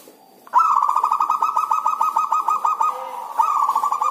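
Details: Kept zebra dove, owned by a keeper, in the rainy season when it rarely sings: a loud, rapid, pulsed cooing trill, steady and beady, running about three and a half seconds after a brief soft start.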